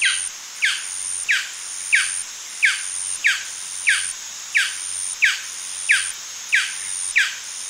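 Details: Male golden dove giving its yapping call: a steady series of about twelve sharp, high, downward-sliding yaps, roughly one every 0.65 seconds, over a faint constant hiss.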